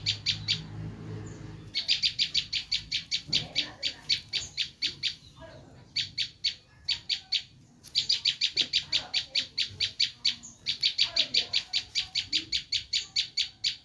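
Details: Screaming bar-winged prinia calls used to lure wild prinias: long rapid series of rasping high notes in several bouts, with short breaks and a low hum at the start.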